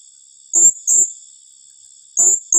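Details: High, shrill squeaks of a blue-crowned hanging parrot calling in the rapid 'tembakan rapat' style, two quick pairs of notes over a steady, thin, high background whine.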